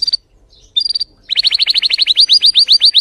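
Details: Timbrado canary, a breed valued for its fierce, strong song: a few short clipped notes and a brief pause, then a loud accelerating series of sharp chirps repeated about every tenth of a second.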